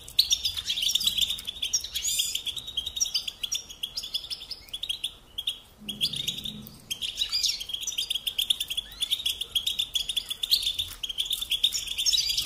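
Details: European goldfinch song as a singing lesson for songbirds, an unbroken chatter of high twittering notes and trills over a soft background hiss, with a faint low sound midway.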